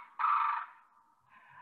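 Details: Wattled crane (Bugeranus carunculatus) alarm call warning other cranes of danger, e.g. an approaching person, during incubation and rearing: one loud, harsh, brassy note that trails off, then a softer, fainter second call.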